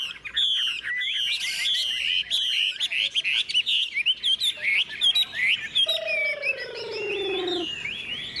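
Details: Tame caged Chinese hwamei, hung out in the morning sun after fresh food, sings a fast string of bright whistled slurs, then a long, smooth, falling whistle.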